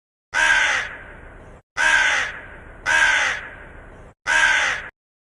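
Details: Crow cawing, the call linked to food and water: four loud, harsh, hoarse caws, each about half a second long with a fading tail, repeated roughly every 1.2 seconds with silence between.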